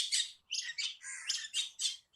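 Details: Myna played for schoolchildren guessing birds by sound: a rapid run of harsh, chattering and squawking notes, with bursts repeating several times in two seconds.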